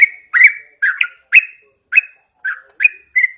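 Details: Morning singing by a caged Yellow-vented Bulbul placed outside the house: clear, slurred chirps, some paired, spaced by brief gaps and shifting between a lower and a higher pitch.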